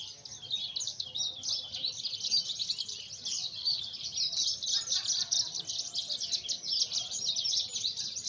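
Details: Javan bush lark from Sumedang, West Java, Indonesia; a dense, unbroken high warbling of rapid chirps and trills runs the whole time, with a faint low rumble beneath.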